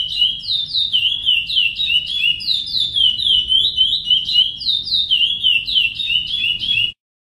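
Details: "Praia" song of the chestnut-bellied seed finch for tutoring young birds: smooth, clear whistles slurring downward in rapid linked series, about three notes a second, over a low background hum, stopping abruptly.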